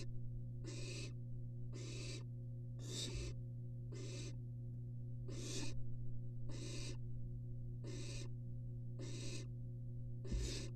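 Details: Nest-box barn owls, three sitting together, on a University of Florida live nest cam. A long series of rasping hisses, about one per second and fairly regular, is backed by a steady low hum.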